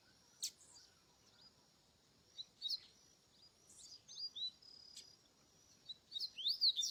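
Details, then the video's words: Double-collared seedeater singing in the wild: thin, high whistled notes and quick slurred phrases, sparse at first and then faster and louder toward the end, over a steady faint hiss. "coleiro cantando na natureza top"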